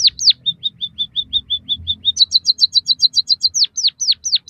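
A high, thin munia song: falling slurred whistles, then a steady run of short even notes, a quicker burst of rising buzzy notes, and more downslurred whistles.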